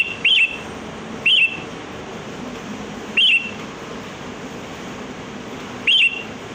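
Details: Kutilang, the sooty-headed bulbul, free in nature, giving lure song to draw other birds: four short clear warbled notes spaced one to three seconds apart, each a quick rising-falling whistle, with soft background hiss.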